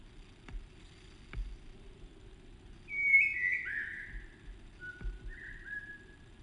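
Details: Narcissus flycatcher singing faintly: one clear whistled phrase wavering then dropping, followed after a pause by a softer, level whistle that rises briefly, over a low steady rumble with a few faint knocks.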